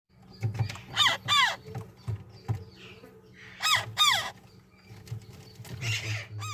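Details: ['Ringneck parrot giving loud, harsh, downward-sweeping calls, two close pairs about three seconds apart, with a steady low hum and soft knocks underneath.']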